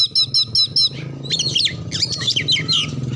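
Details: Oriental magpie-robin singing to stir other birds into song: a burst of five quick repeated whistled notes, then a tumbling run of sweeping whistles over a low droning hum.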